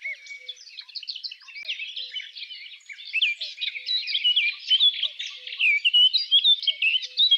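Eurasian Blackcap singing a fast, rich warble of high chattering and fluty notes that grows louder and clearer toward the end. No other sounds stand out.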